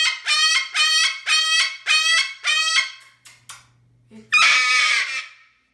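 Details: Indoors, a pet Moluccan cockatoo repeats six grating, honk-like screams in quick rhythm, pauses with faint clicks, then ends with one long, raw screech; the owner notes he is often like this.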